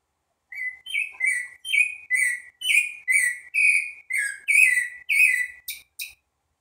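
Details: Green-winged saltator singing the phrase locally rendered as "que é vovó": a steady run of about twelve clear, slurred whistled notes at mid-high pitch, each rising then falling, ending in two sharper, brighter notes. No other sounds.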